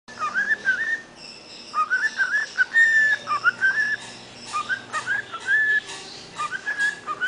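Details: A six-month-old cockatiel whistles the Mexican Hat Dance melody in clear, rising and falling tonal phrases.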